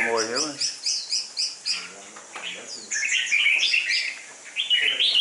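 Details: Red-whiskered bulbul, a caged competition bird with deep red cheek patches and a dark bib, gives bright whistled phrases with rapid chirps. Low harmonic human-like tones occur at the start and again near two seconds.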